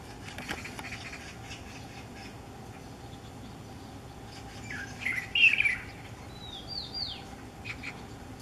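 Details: A light-vented (Chinese) bulbul singing by a window in Miyun at sunrise on 9 June 2014, possibly courtship, gives a brief burst of chirpy notes, then a few quick down-slurred whistles, over a steady low hum.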